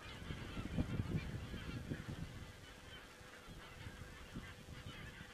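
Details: Geese recorded on a crane webcam in Estonia on 27 September 2017. Low honking bursts cluster in the first two seconds, and a steady chatter of a distant flock continues throughout over a faint constant hum.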